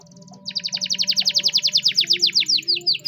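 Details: Spanish Timbrado canary training song: a faint fast trill, then a loud run of rapid falling whistled notes that gradually slow toward the end, over a soft low background hum.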